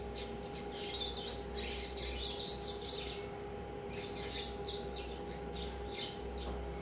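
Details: Three-month-old young Double-collared seedeater (coleiro), vibro song type: bursts of high, thin chirps and buzzy twitters in irregular clusters, with a steady low electrical hum throughout.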